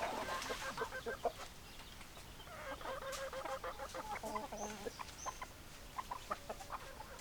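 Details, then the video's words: Several hens cluck in rapid, uneven bursts of about three notes per second, with a longer wavering cackle in the middle and a faint high whistle overhead. "Chicken Sounds Noises Hens Clucking Roosters Crowing"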